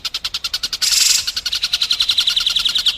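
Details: Masteran for juvenile and contest White-rumped shamas: fast, spaced chip notes, a sudden loud hissing burst, then a dense, bright trill of sharp repeated notes.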